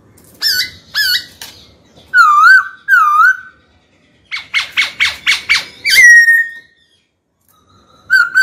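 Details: White-cheeked laughingthrush in a cage, singing to call out a rival for a fight: sharp double-toned notes, wavering mid whistles, a fast stuttering run of six bursts, and a long downslurred whistle.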